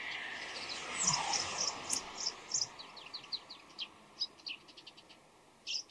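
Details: Bull-headed shrike (Lanius bucephalus) calling before dawn, giving a varied run of short, high chirps and squeaky notes, some in quick clusters, over background hiss. These may be calls, courtship song or subsong, possibly mimicking an Oriental greenfinch and laughingthrush-like voices.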